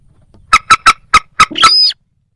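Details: Moorhen, possibly mixed with a little crake: five rapid, hard clucking notes ending in a longer, nasal, rising squeal.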